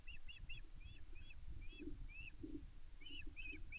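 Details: Female Osprey calling loudly for fish to her mate at Loch Arkaig Nest One, 5 May 2024. Insistent, repeated piping whistles, slightly upslurred and arched, run through the whole stretch, backed by steady deep wind noise and a few low thuds.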